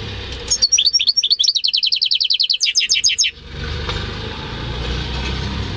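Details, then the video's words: Home-bred European goldfinch × canary hybrid singing, recorded in May 2015: a fast run of bright, high twittering notes that becomes a rapid, evenly repeated trill for about three seconds, then stops, leaving a low background hum. "Saka Melezi Ötüşü"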